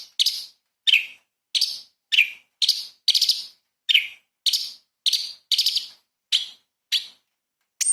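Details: Light-vented bulbul singing as a training recording for magpie-robins: sharp, bursting chirps repeated about every half second, some with quick trills.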